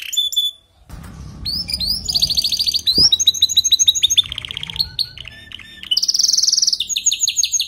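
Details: Canary song meant to stimulate a weak singer: after a short high note and a gap, varied rapid trills and rolls shift pitch repeatedly, ending in a loud high rattling roll and quicker chops.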